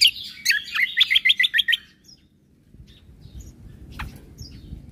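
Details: Cucak kombo in 'full isian tembakan' singing, used to train caged birds: a rapid, loud string of about ten sharp, high whistled notes lasting under two seconds, followed by quiet background with a faint chirp.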